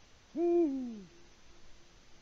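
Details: Eurasian eagle-owl male calling for a mate on a Latvian nest webcam, early evening, 6 March 2019, no female replying; a short resonant hoot bending downward, followed by quiet with a faint, low, distant tone.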